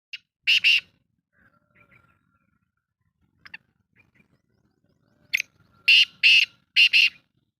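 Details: Black francolin calling in Pakistan, recorded on 18 July 2023: a pair of short, harsh, broadband bursts early on, then after a quiet stretch with faint ticks a rapid grating series of four loud rasping notes.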